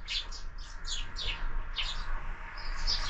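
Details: Sparrows at a feeder mounted on a window in the morning, where birds are fed year-round; a run of bright, quick chirps overlapping one another, with a steady low hum underneath.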